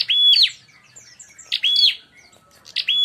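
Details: Fight-baiting calls of a bar-winged prinia: loud, scratchy chirp bursts, each with a steady high whistle, repeated roughly every 1.3 seconds in clean, close recording.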